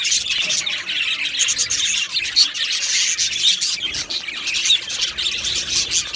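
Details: Budgerigar colony in an aviary, many birds twittering and chirping together in fast, overlapping high notes with occasional louder squeaks.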